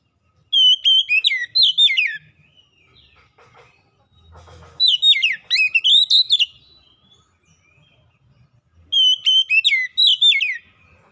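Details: Lure song of an Oriental magpie-robin (kacer), meant to get lazy magpie-robins singing: three bursts of rich, fluting whistles and sharp chirps arrive about four seconds apart, separated by near-silence with faint low thumps.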